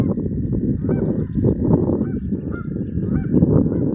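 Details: Geese flying and honking near a pond in Harford County, Maryland, while a dog runs around; nasal honks repeat roughly every half second to second over a heavy low rumble of wind-like noise.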